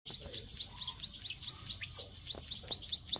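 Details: Bar-winged prinia klik klik call used as a lure to bring birds into breeding condition: rapid high sharp chirps repeated steadily for three seconds, with a few scratchy rising notes mixed in.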